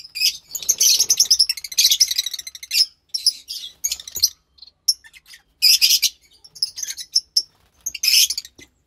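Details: Two lovebird chicks bred from white pastel violet and pastel mauve parents, March 3rd, 2021: long stretches of rapid, rasping high-pitched chatter in pulsing bursts, interspersed with thin squeaks and short quiet breaks.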